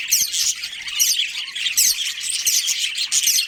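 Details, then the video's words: Budgerigars kept in a colony, among them a breeding pair, produce a steady high-pitched chorus of rapid chirps and buzzy squawks, with louder peaks roughly every second. "Cute Budgies Chirping Sounds"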